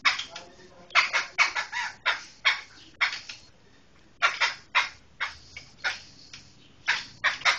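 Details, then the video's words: Harsh, squawking chatter from a black laughingthrush of the Medan type: rapid, loud, rough notes crowded into bursts, with a short pause midway, then further scattered cackling notes. "Suara Kicau Burung Poksai Hitam Medan"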